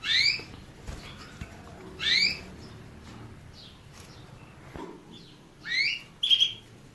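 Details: Canary giving a few loud, separate rising chirps, each a quick upward sweep, spaced about two seconds apart with quiet gaps and faint rustling between them.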